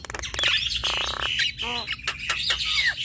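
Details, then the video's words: Javan myna male and female duet, full of varied material: continuous scratchy chatter with a raspy buzzing run, a short warbled phrase and sharp clicks, all dense and harsh. "Duet Jalak Kebo Fenomenal Jalak Kebo Jantan Dan Betina Bongkar Isian"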